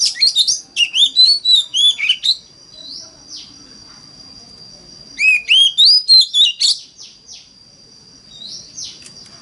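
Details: Lure song of an Oriental magpie-robin in wild 'mountain forest' voice, played to make other magpie-robins sing along: two dense bursts of fast, bright whistled and slurred notes, each followed by a few softer, spaced downward chips, over a steady high whine.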